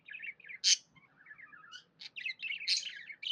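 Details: Pet budgie in a happy mood: short warbled twitters, one sharp loud squeak, then quieter burbling and a strong run of chattering chirps.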